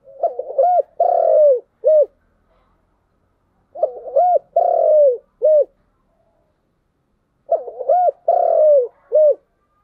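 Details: Spotted dove singing in the 'giọng đồng' style: three phrases spaced about four seconds apart, each a stutter of short hooked coos, a long drawn-out coo sliding down, and one clipped closing coo, low and mellow, against quiet.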